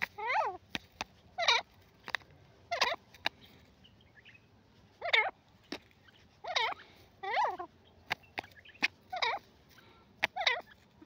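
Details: Grey francolin, called teetar, giving loud harsh grating calls, each a quick falling stack of notes, repeated roughly every second, with sharp clicks and taps between them.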